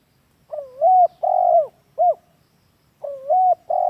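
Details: Spotted dove giving a lure call used for training caged doves: hoarse, mellow coos in rapid phrases, a rising-then-falling note followed by longer level coos and a short clipped one, repeated after a brief pause.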